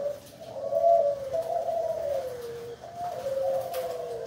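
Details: Spotted dove cooing in the manggung style, one of three birds, delivering low mellow rolling coos with a drawn-out wavering phrase that falls at the end, then a second similar phrase. Steady background hiss.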